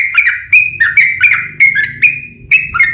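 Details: Yellow-vented bulbul singing a fighting song to goad other bulbuls into answering; short bursts of gurgling, slurred notes separated by brief gaps, with low background hum.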